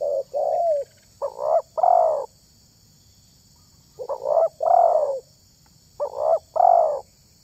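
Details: Spotted dove cooing, the kind of voice used when luring wild tekukur: three mellow phrases, each a short note followed by two longer, fuller coos, separated by a long silent gap.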